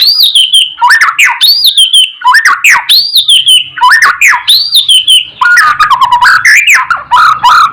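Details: White-rumped shama song for training and excitement: a looping phrase of arched whistles and sharp notes repeated about every second, then a burst of faster varied warbling.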